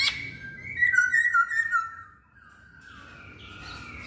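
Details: Short masked laughingthrush phrase: a few soft wavering whistles gliding slowly downward, fading into quiet background noise.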